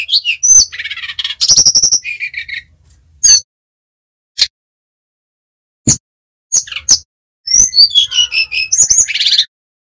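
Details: Brown-chested jungle flycatcher of Bali origin, a kept bird singing actively in the nyiul or nyuling whistling style, used as training audio for untrained birds: sharp high chirps and buzzy trills in bursts separated by silences, ending in a rapid twittering phrase.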